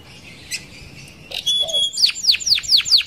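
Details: Canary song used as a lure for other canaries: quiet opening with faint notes, then a series of loud, sharply falling whistled sweeps repeated about every quarter second.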